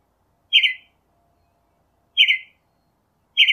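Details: Northern mockingbird giving three separate harsh, raspy notes, each about a third of a second long, spaced well over a second apart with silence between.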